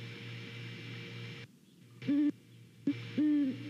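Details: One of a pair of great horned owls hooting to each other while checking out a nest in Savannah on a morning at 09:11, 28 November 2019, gives three deep, soft hoots, the middle clipped, after an electrical hum cuts out.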